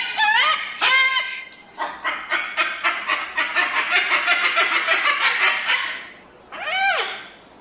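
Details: Crested cockatoo giving loud, harsh, rising screeches, then a fast run of about a dozen rasping, chattering notes, ending with one more drawn-out shriek.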